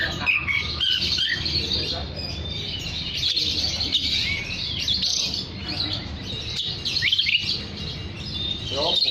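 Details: Oriental magpie-robin in lively song, meant to call other magpie-robins: dense, scratchy warbling with quick slurred whistles and a few sharp downward sweeps, steady throughout, over low hum.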